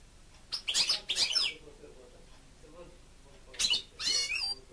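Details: European goldfinch kept as a pet, singing: two loud bursts of rapid, liquid twittering with high tinkling notes, separated by a quiet pause of about two seconds.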